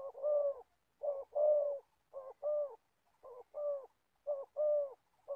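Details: Old trapping decoy spotted dove in Gia Lai repeating its coo, each phrase a clipped first note and a fuller, longer second note, about four and a half phrases evenly spaced.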